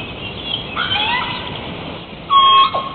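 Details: Hawaiian crow (Corvus hawaiiensis), a species extinct in the wild, gives a soft, drawn-out, wavering call followed by a louder, short, harsh caw with a nasal ring near the end.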